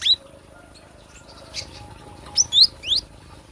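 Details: Cinereous tit, recorded as a lure or training song. One high note opens the passage, followed by soft scattered sounds, then three clear, sharply falling whistled notes at the end.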